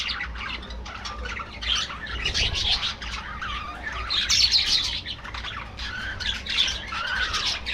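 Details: Colony of budgies kept in an aviary, chattering nonstop: a dense, overlapping stream of quick buzzy chirps and warbles from many birds, rising and falling in loudness throughout.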